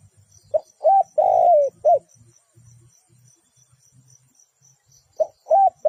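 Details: Decoy spotted dove kept for bird trapping, cooing a short note, a rising hooked coo and a long slurred falling coo, then a pause before the phrase starts again; faint low rumble and a thin high tone beneath.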